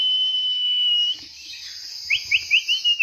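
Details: A young Oriental magpie-robin in first-stage training holds a long, steady high whistle, pauses, then gives five quick rising whistled notes spaced about a fifth of a second apart.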